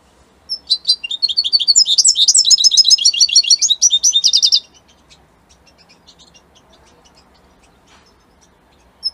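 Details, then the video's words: European goldfinch of Italian type, kept by a hobbyist, singing a four-second burst of quick twittering chirps and trills, followed by near silence with a few faint notes. "من أقوى تغاريد طائر الحسون الجميلة الحسون ايطاليا"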